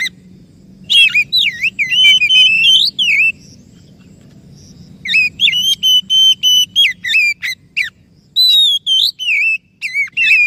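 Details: Oriental magpie-robin lure song to get a silent or stressed bird singing: long runs of loud, varied whistled notes, dipping and rising slurs repeated rapidly in three sustained bouts with brief pauses.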